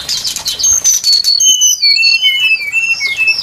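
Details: Brown-chested jungle flycatcher song used as a trapping lure: clear, high whistled notes, each sliding downward, falling step by step in a loose, quick series.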